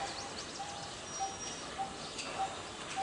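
A Coppersmith barbet repeats a hollow, mid-pitched "tuk" steadily, roughly every 0.6 seconds, against a soft background hiss.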